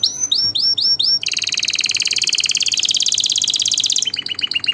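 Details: Domestic canary singing to teach young and excite mates: a handful of looping notes, then a long, rapid, high rolling trill lasting about three seconds, finishing with short repeated notes.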